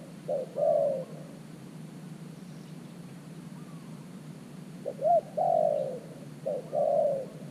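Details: Spotted dove kept as a new decoy bird at an earthen trap enclosure, calling to lure wild doves: low cooing phrases, each a short clipped note followed by a longer slurred coo, with two phrases spaced by a quiet gap.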